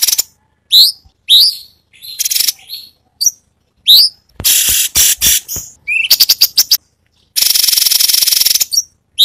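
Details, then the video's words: Cucak cungkok in lively song, with many varied 'tembakan' phrases, for tutoring songbirds: upslurred whistles alternate with loud harsh bursts, short rattles and a long buzzy churr near the end. "Cucak Cungkok burung masteran Full variasi Tembakan"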